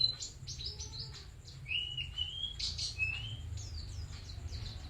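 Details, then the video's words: Bustomi white-eye in energetic song: rapid high twitters interspersed with longer rising whistled slurs, delivered in a continuous chattering stream over a soft low background rumble. "Burung Pleci Bustomi Gacor"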